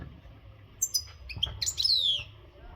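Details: An untutored European goldfinch of the Maghreb type in singing readiness utters a few high chirps, then a quick twittering phrase ending in a thin, descending, buzzy note; faint low hum behind.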